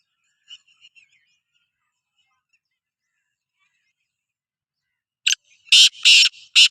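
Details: A Sindhi black francolin (kala teetar) is heard after a long quiet stretch with faint distant chirps. It then gives a loud burst of harsh, rasping notes, several grating syllables one after another.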